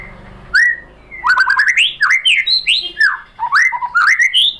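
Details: White-rumped shama lure song for stirring a bird to respond and sing: a steady flow of loud swooping, looping whistles, rising and dipping in quick succession with barely any pause.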